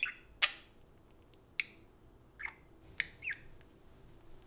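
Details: Pet parakeets talking to a spoon produce scattered short chirps and squeaky notes, six or so spaced through a few seconds over low background hiss.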